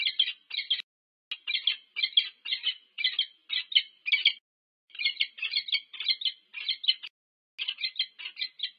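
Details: Wild peregrine falcon pair meeting at their nest at UC Berkeley, USA, on 25 August 2023, recorded by a nest camera: harsh, chattering double and triple notes in quick bursts, with two short pauses and no other sounds.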